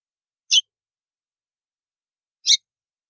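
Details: White-throated seedeater (Sporophila albogularis) giving its clicking song, used to stimulate other birds to sing: two sharp, high, snapping notes about two seconds apart, with silence between them.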